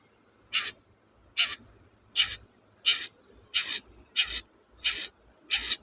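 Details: Long-tailed shrike sound played as a lure to make reluctant birds sing: eight harsh, raspy, high-pitched notes repeated steadily about every 0.7 seconds over a faint low rumble.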